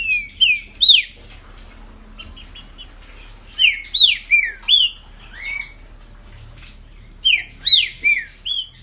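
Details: Green-winged saltator showing off for its keeper in the 2020 season, singing repeated bursts of bold arched whistles, three phrases separated by pauses filled with soft high chipping.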